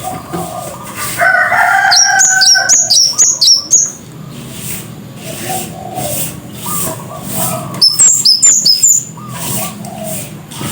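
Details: Scarlet-headed flowerpecker with a loud voice: two bursts of five or six piercing, very high, downslurred notes given in fast succession, separated by several seconds of lower murmuring sounds and background noise.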